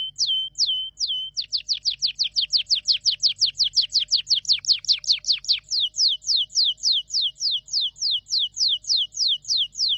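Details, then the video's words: Canary song of clear whistled notes: a few sharp downward sweeps, then a long steady run of rapid descending strokes repeated several times a second for most of the ten seconds. "Canary singing"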